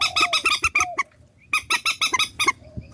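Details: Swamphen calls used as a lure for trapping: quick series of loud, nasal honks and squawks, a short pause, then another rapid series, over a faint low hum.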